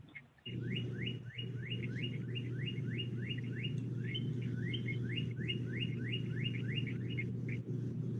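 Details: In a Michigan winter, a male Northern Cardinal (Cardinalis cardinalis) sings to attract a female's attention: a fast series of clear, downslurred whistles, about three a second, over a steady low hum.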